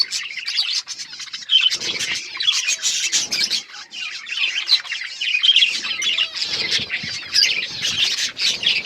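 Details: Many budgerigars warbling and chirping at once, a scratchy, overlapping chatter of rapid high notes with occasional harsher squawks, continuing without a break.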